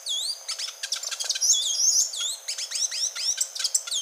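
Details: Grey-and-gold tanager song, a fast tumbling stream of high-pitched twitters, quick downslurred notes and bright whistled slides, continuous and busy throughout.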